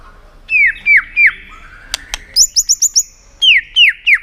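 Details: White-rumped shama giving tail-flicking clicking calls meant to stir a contest bird into song. Three falling whistled slurs, two sharp clicks, a rapid series of five high notes, then three more descending slurs.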